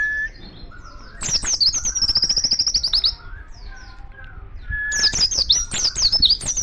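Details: Oriental white-eye singing in the wild, calling other white-eyes: a loud high twittering burst with a fast trilled run of rapid notes, a pause with faint distant calls, then another jumbled high chirping phrase.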